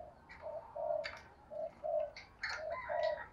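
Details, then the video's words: Spotted dove, from a recording used to prompt a newly caught wild dove to coo. Soft low coos repeat in pairs under busier sounds: sharp chirps and whistled notes from other birds overlap throughout. "cu gay kich boi nhanh noi gù"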